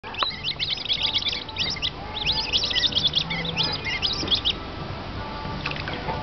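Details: Spotted whistling ducks at Singapore Zoo give a busy peeping chorus of high, thin, overlapping peeps and whistles for about four seconds, then go quiet apart from a few faint notes.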